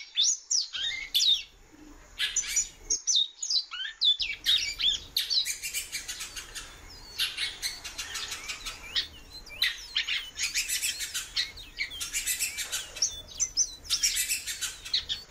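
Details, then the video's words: Female great-billed seed-finch in captivity calling a lot: bursts of rapid chirps and short slurred whistles, some rising and some falling, repeated in clusters with brief pauses, amid sharp clicks and cage noises. "FÊMEA DE BICUDO PIANDO MUITO"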